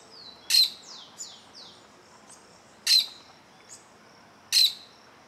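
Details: Plain parakeet eyeing an observer close to its nest; three strident, shrill calls spaced about two seconds apart, preceded by a few falling high whistles.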